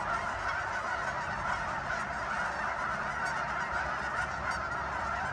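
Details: Dense chorus of honking geese at Sunset Lake, Guymon, Oklahoma, where many birds call at once in a continuous, unbroken din.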